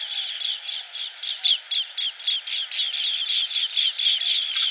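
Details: Rapid series of clipped, high chirping notes from a green bee-eater, about four per second in an uneven, rolling rhythm, steady throughout with faint softer notes in between.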